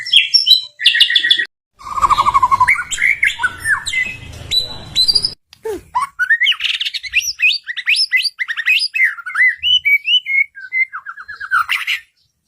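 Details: White-rumped shama song used as a lure to stimulate caged birds to answer quickly: a long, rich, varied run of whistles, trills and sharp chattering notes with rapid pitch jumps, briefly overlaid by a burst of broadband noise.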